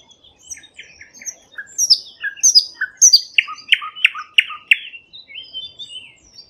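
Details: A thrush nightingale in Bryansk sings a loud, varied phrase: sharp high chips and whistles, then a run of six rich, down-slurred clacking notes repeated about every third of a second.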